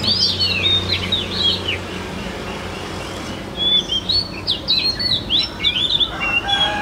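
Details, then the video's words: Caged Chinese hwamei in Vietnam singing high: thin, rapid whistled flourishes in two bursts, with a gap between, over steady low background hum and noise. "Họa mi dáng ngũ trường, bóng bộ cực đẹp, hót cao cầu"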